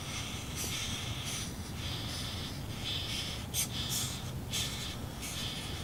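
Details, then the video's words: Active red-bellied woodpecker babies near day 23 in the nest give harsh, wheezy rasping bursts, several per second, some sharper and louder, against a constant low-pitched hum. "Red-bellied woodpecker baby sounds"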